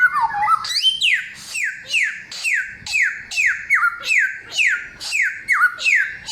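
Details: Samyong song, said to be loud, clear and of wild forest origin: a steady run of bright whistled notes, each dropping sharply in pitch, about two a second, with a few lower looping phrases.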